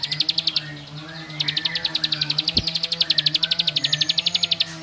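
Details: Bar-winged prinia singing long runs of rapid, sharp high-pitched notes, about four per second, with brief pauses, a song said to provoke other males; low steady hum underneath.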